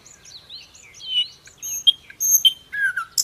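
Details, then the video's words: Sikatan londo, the common nightingale, in a song for training other songbirds: soft sliding whistles rising and falling, then louder sharp whistled notes and a low descending phrase at the end. "Burung Masteran terbaik, Sikatan londo Gacor, Nightingale bird song"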